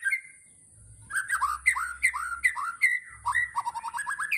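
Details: Murai batu, the white-rumped shama, delivering 'tembakan' song: a brief whistle, then a string of loud downward-slurred whistled notes repeated about every third of a second, ending in quick rising chips.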